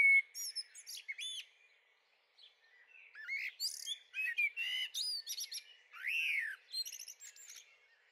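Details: In a garden on 23 May 2013, a young Eurasian blackbird (Turdus merula) delivers a varied, chattering warble of clear whistles, squeaks and fast trills, with a short pause after the opening phrases.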